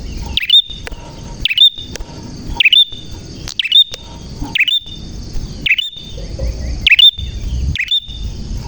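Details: Bar-winged prinia in full, clear song: sharp chipping notes, each followed by a bright hooked whistle, repeated about every second, with a steady high tone running underneath.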